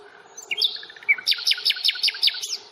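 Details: Common nightingale singing during a reserve stroll at Fingringhoe on 1 May: a brief whistle, then a steady series of seven loud, descending repeated notes.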